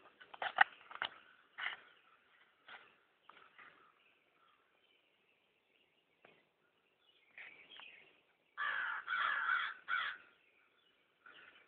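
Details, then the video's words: Crows in a yard where hundreds gather, one nearby cawing to warn the others of a person's presence: harsh, raspy caws in irregular clusters, a loud run near the start and a longer, louder stretch near the end, with quiet gaps between. "The Crows In My Yard"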